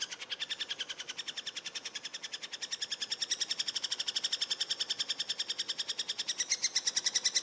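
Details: Eurasian three-toed woodpecker while feeding: a long, fast, steady chatter of high harmonic notes, roughly eight per second, swelling in volume through the second half.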